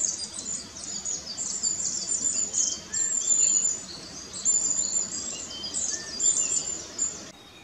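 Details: Parent long-tailed tits feeding fledglings in a tree on 4 May 2016, recorded on a Nikon Coolpix P900; a nearly continuous chorus of sharp, very high chirps and short trills from several birds, with a few lower notes.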